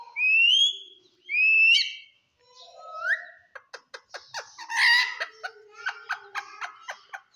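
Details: Green talking parrot with two rising whistles, a short sweep, then rapid clicking, chattering notes and squawks.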